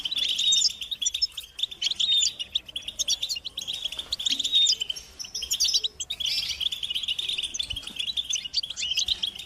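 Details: European goldfinches twittering together, a stimulation chorus of mating calls said to make silent males sing. Continuous high, liquid chattering with ringing trilled phrases, a short lull near two seconds, then a strong renewed burst after six seconds.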